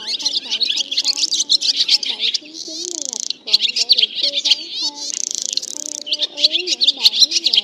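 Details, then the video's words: Black and white-bellied swallows in a roost-calling lure recording, flock called in to sleep, twitter in a dense, continuous high chatter of rapid chirps and buzzy trills with lower sliding whistles underneath. "Tiếng ÉN Đen Bụng Trắng Gọi Bầy Về Ngủ"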